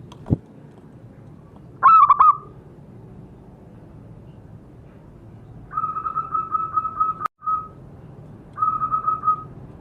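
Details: Zebra dove (perkutut) call used as a lure to make captive birds call: a short stuttering cooed phrase, then two longer rapid trilled coos on one mid pitch, separated by quiet gaps with a sharp click.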